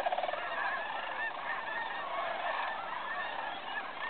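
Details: Flock of sandhill cranes arriving to roost at Bosque del Apache National Wildlife Refuge, 2011 Festival of Cranes, making a continuous wall of overlapping rattling, bugling calls from many birds at once.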